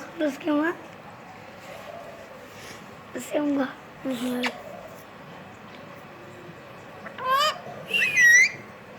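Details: Talking parrot at home producing several short bursts of squeaky, speech-like syllables separated by pauses, ending in a bright whistled rising-falling note; a person speaks just after.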